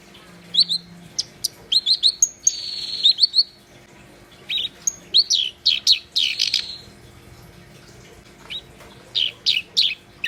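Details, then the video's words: Energetic black-browed reed warbler song: harsh chattering notes, high thin whistles and drawn-out buzzy strains in bursts, broken by a few seconds of quiet, then short scratchy phrases resume. "Kerak Basi Gacor"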